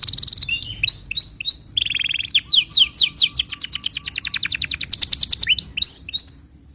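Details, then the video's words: Canary tutor song meant to train young canaries and stir silent ones: a high buzzy burst, looping whistled notes, a low purring trill, then rapid ringing repeated syllables in an accelerating tour. "Masteran Untuk Kenari Paud Dan Pancingan Kenari Macet Bunyi"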